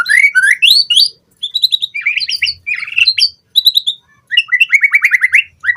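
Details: White-rumped shama song used as a lure and tutor recording for captive birds: rapid, varied phrases of rising whistles, buzzy trills and sharp chips. Bursts are separated by short pauses, and there is no background noise.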